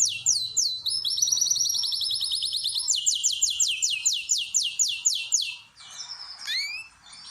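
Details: Canary singing in a bird room used for breeding and pairing: whistled upslurs, a fast steady trill, then a series of slower, loud descending notes, closing with scattered chirps.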